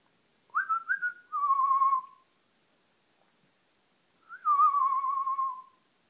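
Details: A 20-year-old male pet double yellow-headed amazon parrot gives two clear whistled phrases near mid pitch, each rising then sliding gently down, a few seconds apart, while talking with its owner. No other sounds.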